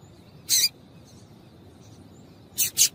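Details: Calls of a female Double-collared seedeater meant to excite males into song: one brief rasping chip, then a close pair of similar buzzy notes two seconds later, against quiet background hiss.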